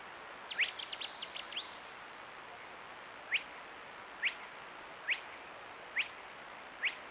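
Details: Singing Spotted Crake at RSPB Otmoor, Oxfordshire, gives sharp, rising whiplash 'whitt' notes about once a second after a brief burst of other chirps; a muntjac is also in the recording, over steady background hiss.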